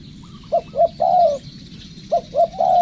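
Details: Spotted dove decoy bird in training gives two low cooing phrases, each two brief notes followed by a drawn-out coo. Faint insect buzz runs throughout.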